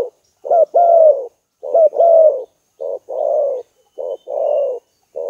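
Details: Spotted dove lure call: two loud two-part coos give way to a chain of lower, burry rolling coos in short and long pieces, repeated at a steady pace.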